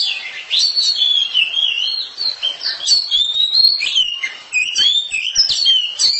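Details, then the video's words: Oriental magpie-robin kept in a house, singing loudly and clearly. Varied whistles slide up and down, mixed with crisp chips, in a steady stream of short phrases. "KACER RUMAHAN KICAUNYA NYARING"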